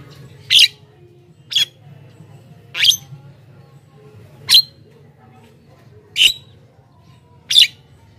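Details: Javan myna used as a lure for wild birds, giving six short harsh scratchy bursts spaced about every one to one and a half seconds, separated by quiet gaps with a low background hum.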